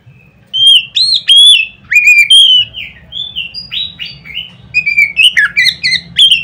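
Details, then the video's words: Oriental magpie-robin, a loud song used to provoke other magpie-robins into full song. Strings of bright whistled notes, some sweeping up, others dropping, come in quick varied bursts over a soft low background hum. "nada keras bikin burung Kacer lain ngeplong"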